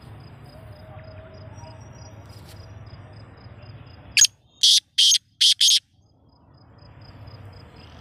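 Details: Black francolin calling: one sharp harsh note, then four loud grating bursts in quick succession, after quiet low background noise and a faint steady tone.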